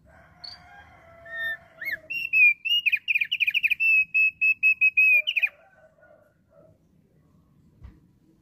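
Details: Thick-billed heleia singing vigorously, a recording used as a lure to draw wild flocks: a few soft notes, then a fast run of bright, high whistled notes repeated rapidly for about three seconds before stopping, with faint low background murmur.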